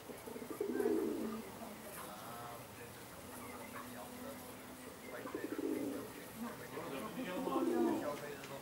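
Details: Domestic Indian Fantail pigeons kept as fancy pigeons in Alkmaar, Holland: deep, rolling coos at the start, middle and end, with soft background murmur between phrases.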